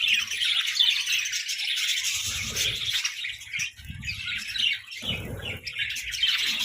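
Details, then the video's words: Budgerigars in a lively food fight, rapid irregular chirps, roughly two to three a second, over continuous warbling chatter and occasional thumps. "Parakeet Symphony & Budgie Brawls: Chirping Sounds and Food Fights!"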